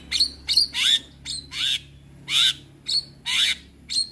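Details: Male Javan myna used to teach other mynas, giving separate harsh, hissing squawks, several with a downward-sliding tail, spaced irregularly with short gaps.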